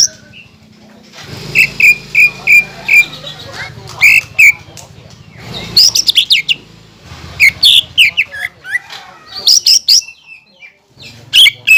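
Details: Green leafbird in full, energetic song meant to provoke rival birds, its voice said to include sounds of kingfisher, magpie robin and white-rumped shama; a run of evenly spaced high whistles, then sharp sweeping chips and bursts over a low steady hum.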